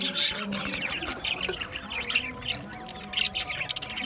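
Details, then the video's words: Budgies in an aviary giving scratchy chirps and squeaky chatter, louder at the start, then scattered sharp notes over a lower murmur of calls. "Budgie chirping sound | Budgie parakeet singing | Budgie aviary sound"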